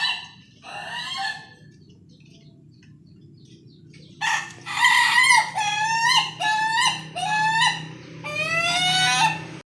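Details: A contest-grade Ayam Ketawa rooster gives a brief opening call, falls quiet, then launches into a quick laughing run of rising, hooked syllables ending in a longer sustained note.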